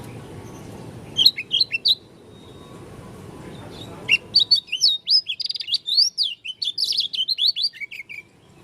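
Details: Lombok dakun Oriental white-eye, said to sound strange, gives a few short high chirps, pauses amid low rumbling noise, then launches into a long quick chatter of sharp, warbling whistled notes.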